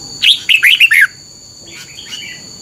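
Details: Red-whiskered bulbul kept in a cage, song used to teach young birds: one phrase of five bright, warbling whistles falling in pitch, then a fainter distant echo-like reply, over a steady high-pitched tone.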